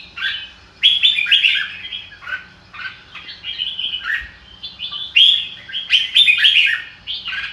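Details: Red-whiskered bulbul with "ro kích bổi" song, short bubbly warbled phrases of mellow whistles coming in uneven bursts about four per second, stronger toward the end.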